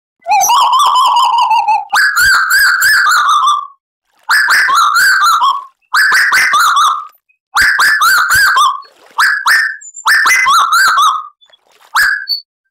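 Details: Lively, vocal tuwu bird on a lure recording meant to make caged birds sing. Repeated loud whistled phrases, each roughly one to two seconds long, warbling and dropping at the end, with brief gaps between them.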